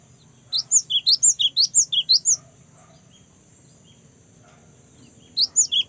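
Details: A young cinereous tit singing actively gives a long run of about eleven high, sharp chirps that swing up and down. After a pause of about three seconds a second run starts.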